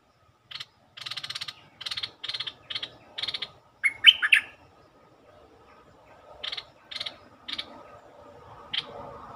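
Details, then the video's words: Bulbul song played as a lure to stir birds up: a series of dry, buzzy chatter notes around one bright warbled phrase, over a steady low background hum that grows toward the end. "เสียงนกดอกแตงEp.147 เปิดให้นกคึก เพลงดีสำนวนน่าฟัง Suara pikat merbah lekir"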